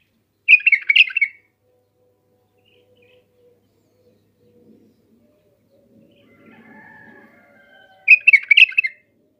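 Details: Bulbul singing in Iraq, two bubbly whistled phrases about seven seconds apart, with faint low humming background sound between them.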